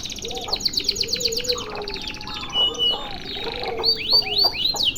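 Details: Canary in extended song: a rapid high trill at the start, mixed twittering and whistles, then loud arching sweeps at the end, with a lower bird voice calling underneath.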